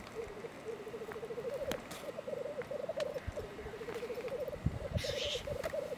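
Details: A male black grouse feeding on crocuses during the lek gives a low, continuous bubbling of quick cooing pulses that rise and fall in short runs, with scattered clicks and a brief hiss.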